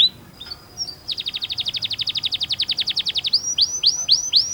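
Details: Canary singing a training song for young birds: a rapid trill of about twenty evenly repeated high notes, then slurred upward-curving whistles repeated several times a second.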